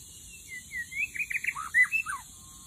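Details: White-rumped shama song played as a lure in the middle of a forest: a short run of clear whistled notes, sliding and warbling up and down, ending in a few quick falling slurs, with a faint high hiss behind.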